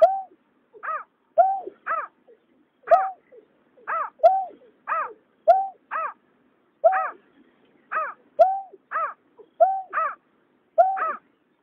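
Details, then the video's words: A duet of male and female water rails from 2021: a long, even series of paired calls, a flat nasal note answered by a higher harsh downslurred note, about once per second, in a quiet background. "Tiếng nhát hoa, cà cuốc trống mái"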